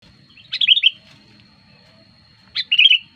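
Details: Sooty-headed bulbul lure song, used to attract wild bulbuls and as a tutor for caged birds: two short bubbly, warbled phrases about two seconds apart, each opening with a sharp high note, over a steady faint high whine and low rumble.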